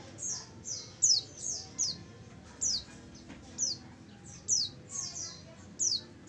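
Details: Lure call of a female oriental white-eye, a rapid series of about a dozen thin, high downslurred whistles, closely spaced and fairly even, with a soft low hum underneath.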